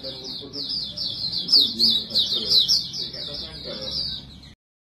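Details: White-eye in lure-style 'bocor' song: a bright, rapid, high twitter with quick repeated notes for about four and a half seconds, then sudden silence.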